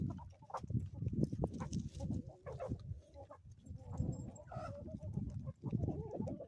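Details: Homestead chickens on an Ozarks morning: short, scattered clucks and a few harmonic calls over a steady low rumble of farmyard noise.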